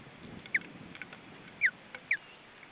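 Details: At an Estonian nest during feeding in July 2012, an osprey gives three brief, sharp, downslurred whistles spaced irregularly across a few seconds, with faint rustling and constant hiss behind.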